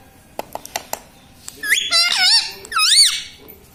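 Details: Talking pet parrot kept indoors, saying words such as mummy; after several sharp clicks, two wavering, nasal, speech-like phrases rise and fall in pitch.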